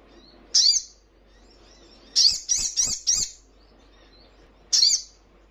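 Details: Ruby-cheeked sunbird (sogon) in a training recording for caged birds: a single sharp high chip, then a rapid run of four chips, and one more chip after a pause.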